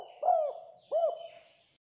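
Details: Spotted dove call used to lure others: two separate soft, arched coos about seven tenths of a second apart, fading out afterwards, with a faint hiss in the background.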